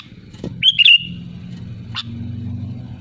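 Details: Sooty-headed bulbul giving one loud bubbly whistled phrase to call rivals, preceded by a brief sharp note. A short downward note follows after a pause against low background rumble.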